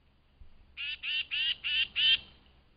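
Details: Excited tufted titmouse at a flying squirrel feeding station at dawn, giving five loud, harsh, buzzy notes in quick succession, each a rasping burst over a faint low background rumble.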